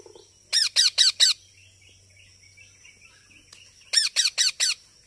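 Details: Baby parrot giving rasping squawks in two bursts, four quick harsh notes then a pause of nearly three seconds and four more, over a thin constant high whine and faint distant chirps.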